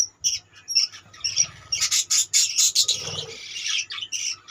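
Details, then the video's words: Budgerigars calling in a colony: busy overlapping chirps and warbles building into a loud chattering burst, with faint low rustling and fluttering underneath. "budgeis birds colony"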